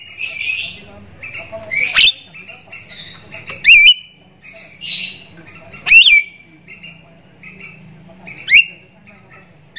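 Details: Javan myna calls played as a lure to set other mynas calling: harsh squawks alternating with sharp rising whistles and click-like bursts, repeated irregularly every one to two seconds.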